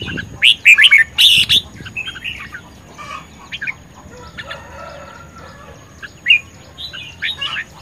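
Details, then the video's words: Vigorous red-whiskered bulbul singing in competition, May 2020: a rapid run of loud, bright warbling notes in the first two seconds, then quieter scattered chirps and a short phrase near six seconds. "Chim chào mào hót | chào mào | chào mào hót đấu | chào mào căng lửa | chào mào sung sức"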